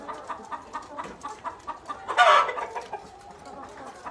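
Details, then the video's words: Black Tailed Red Marans chickens making a rapid run of short, evenly spaced clucks, broken by one loud, harsh squawk midway, with more clucking continuing softly afterward. "Black Tailed Red Marans Chickens"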